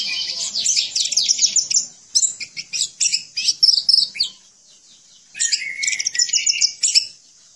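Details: Energetic song of a caged orange-headed thrush, meant for training other birds: choppy bursts of high chirps and trills over four seconds, a silent gap, then a renewed burst of twittering and whistled notes.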